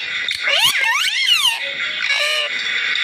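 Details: A green Indian ringneck parakeet talking gives a second of rich, wavering, speech-like sounds that swoop up and down, then a shorter harsh phrase, over a steady high hiss.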